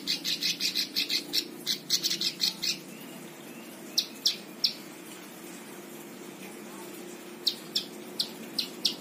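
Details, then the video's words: Plain prinia singing: high, buzzy, rasping notes given in a rapid run of about a dozen, then in shorter spaced pairs and triplets after pauses, over a faint low hum. "Ciblek sawah cocok untuk masteran semua burung"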